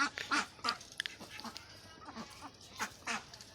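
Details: Farm ducks in West Bengal, India, giving scattered short nasal quacks in a sparse, uneven series over faint background noise.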